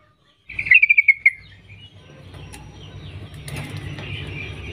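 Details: Female sooty-headed bulbul (trucuk) calling to males: a quick burst of about seven bright, evenly spaced chattering notes lasting barely a second, followed by quiet rustling and soft background noise.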